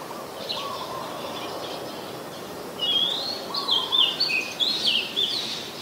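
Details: Singing Oriental magpie-robin, Ubon Ratchathani, Thailand, 14 October 2021, captured with a Nikon P1000: a few soft low warbles first, then from about three seconds a loud run of varied whistles and slurred, rising and falling notes against light ambient noise.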